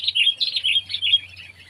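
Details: Sooty-headed bulbul (Pycnonotus aurigaster), Indonesia, in a pet versus wild comparison: a short quick series of clear, slightly rising and falling chirps, about six notes, over a soft low hum.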